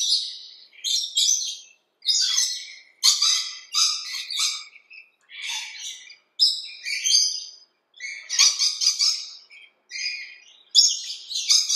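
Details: A noisy flock of Rainbow lorikeets in a big backyard tree about 20 meters away, in the morning, gives harsh, screechy chatter in rapid, high, grating bursts that overlap, with brief pauses between outbursts.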